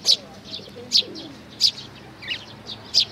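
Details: Sparrows, fledgling chicks with their parents, recorded 11 May 2019: sharp, high chirps repeat irregularly about every half second to second. Soft low cooing murmurs underneath.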